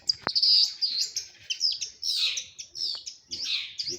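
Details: Madura long-tailed shrike kept in a cage, pouring out a dense, scratchy, high-pitched warble of squeaky chirps and harsh twittering notes with hardly a pause, with two sharp clicks.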